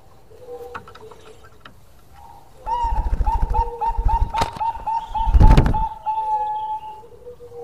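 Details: Bangkok-type zebra dove in full song, a bird prized by many fans for its special voice: a fast run of short, even cooing notes at a steady pitch, overlaid by loud low thumping and knocking noises.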